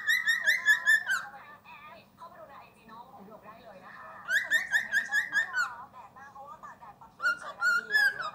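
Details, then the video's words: Indoors, a cockatiel whistles the Happy Birthday melody in loud, pure-toned notes, running phrase after phrase: a long opening run, a second rising sequence, then another start after a brief lull. "นกค็อกคาเทลร้องเพลงHappy birthday"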